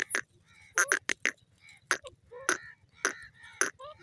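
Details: Grey francolin giving loud, harsh, nasal calls in uneven bursts, some notes doubled or tripled, with short pauses between groups.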